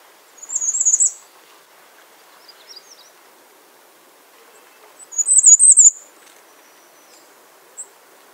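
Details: Two short, high, thin trills from a bay-breasted warbler, roughly four seconds apart, with faint scattered notes in between against a quiet background.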